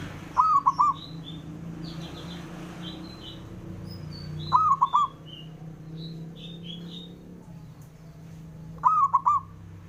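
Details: Male zebra dove repeating its rival-provoking call three times, roughly every four seconds, each a long wavering coo then three quick short coos, against busy high twittering of other birds.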